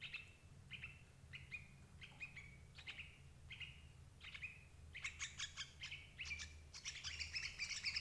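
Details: Sooty-headed bulbul calls used as a lure to trap adult birds: a series of short, bright, downslurred chirps, then denser overlapping chattering notes near the end.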